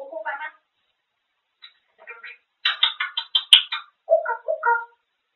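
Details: Grey parrot chattering nonstop indoors, talking about food; a run of speech-like syllables, some raspy and some clear, with a sharp squeak in the middle and short pauses between phrases.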